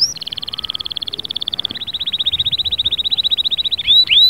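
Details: Canary delivering a long rapid trill of evenly repeated notes for nearly four seconds, ending with two sharp rising whistles.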